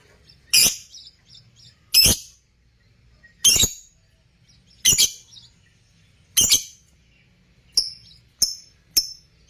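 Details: Lovebirds kept for breeding give sharp, high, clicky chirps roughly every one and a half seconds, then quicker thin whistled notes toward the end.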